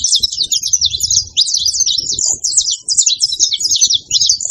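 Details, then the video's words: Wild saffron finch in nature delivering fast, high-pitched chattering song, dense runs of clipped chirps and slurred twitters strung together almost without a break, with a soft low rumble underneath. "cantoria de canário da terra na natureza"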